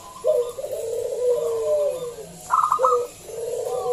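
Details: Lure recording of a loud local zebra dove: a long, warbling sequence of mellow coos, then a short staccato burst and more soft coos.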